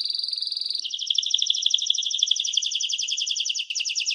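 A canary sings a continuous run of rapid, bright trills, first a pure high tour, then a lower rolling trill, with fast repeated notes throughout.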